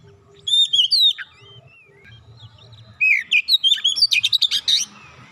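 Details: Oriental magpie-robin singing, played to prompt a quiet magpie-robin to sing. Clear descending whistles open the phrase. After a short gap comes a fast run of upslurred whistles and rapid chipping notes, with a faint low hum beneath.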